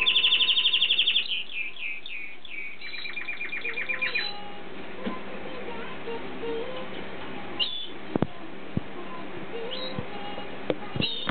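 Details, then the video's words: Canary love song: a fast, bright trill opens, then a run of repeated chirps in separate bursts. Later, scattered clicks and knocks over low background noise. "Canary Love Song"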